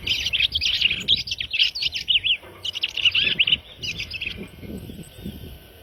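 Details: {'caption': 'Red-crested cardinal giving dense rapid chirping phrases with short whistled slurs, three bursts in succession over faint background noise.'}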